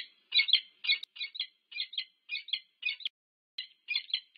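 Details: Peregrine falcon pair greeting at the nest, UC Berkeley, USA, 25 August 2023, from a nest camera: loud, harsh paired chups about twice per second, with one short silence before the final notes.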